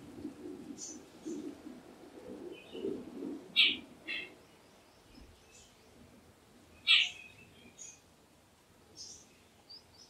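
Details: Jungle babbler calling: two loud, harsh, rasping bursts about three seconds apart, with faint high chirps from other birds and a low background murmur between them.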